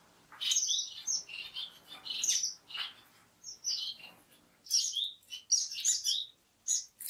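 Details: Orange-cheeked waxbill (Estrilda melpoda), from central and western Africa, uttering sharp high chirps and thin twittering phrases in irregular clusters separated by short silences.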